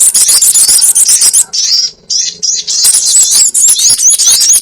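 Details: Sogon bird lure recording: fast, dense, high-pitched chatter with a brief quieter gap midway, where separate slurred squeaks stand out.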